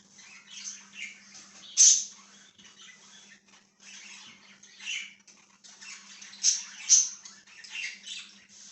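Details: Budgie chatter, with a continuous scratchy, rasping warble broken by a few louder, piercing chirps, one early and two near the end, over a low constant hum.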